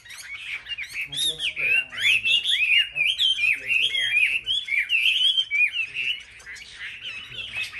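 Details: Competitive song of caged Chinese hwameis on a market rack: loud, varied whistled phrases of swooping slurred notes, some buzzy, pouring out in quick bursts with brief pauses.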